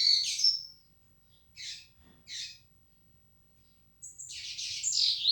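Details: Yellow-bellied seedeater of the 'flecha negra' kind: a loud twittered phrase ending in a whistle, two short isolated chips, then a dense, fast, scratchy warbling run.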